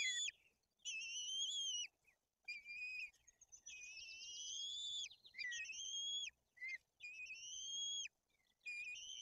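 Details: Two white-tailed eagle chicks in Tuchola Forest, Poland, being fed fish, the elder acting aggressively. Insistent, slightly wavering whistles repeat in a near-continuous series, with a faint low rumble of background noise.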